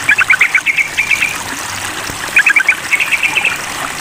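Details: Sooty-headed bulbul answering a rival: two bursts of quick, bright chattering notes, the first run slightly slower, amid steady water-trickle hiss.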